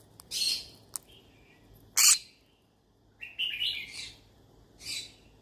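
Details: A green-cheeked conure of the yellow-sided variety gives a few short, harsh, high chirps and squawks, with one loud screech in the middle and gaps between calls, in a quiet room, calling as if looking for friends to talk to.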